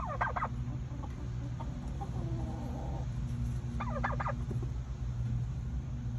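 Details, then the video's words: Domestic turkeys in fall, due for processing the next day, give two short, rapid rattling bursts about three and a half seconds apart, with softer notes in between, over a steady low rumble. "Turkeys and the Sounds of Fall"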